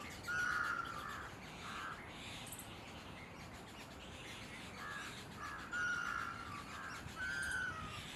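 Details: A red-naped ibis in Gujarat, India, gives loud, nasal, squealing calls in short bursts with brief pauses, over a steady background hiss and faint chirps.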